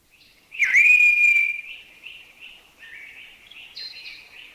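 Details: Streaked Wren-Babbler in a Thai national park (Khao Yai, Doi Inthanon, Doi Suthep-Pui or Chae Son), giving its loud, drawn-out, sad whistle that dips then holds steady, followed by softer, quick chuchi-chuchi notes.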